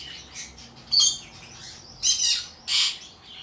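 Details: Hand-tame albino cockatiel chick in Japan, 28 August 2023: three loud, harsh, raspy bursts, each about a third of a second, separated by quieter scratchy rustling.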